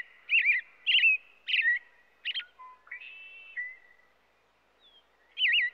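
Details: Robin song: a string of rich, looping whistled phrases about half a second apart, a few lower slurred notes, a pause, then another looping phrase.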